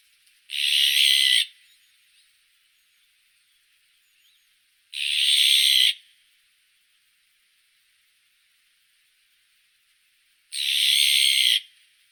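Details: Azure-winged magpie giving three separate harsh, buzzy rasps, each about a second long, spaced roughly five seconds apart with quiet between.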